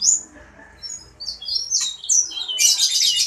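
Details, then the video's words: Sanger bird in active song (gacor): a string of varied high whistled and slurred notes, some sweeping downward, ending in a loud, continuous scratchy buzz. "Burung sanger gacor dor !!!"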